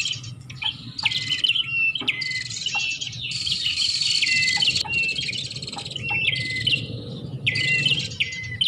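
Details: Prenjak, the Bar-winged prinia, in a bird-attracting lure sound: rasping buzzy trills interleaved with sharp falling chips, several phrases overlapping, soft low hum beneath.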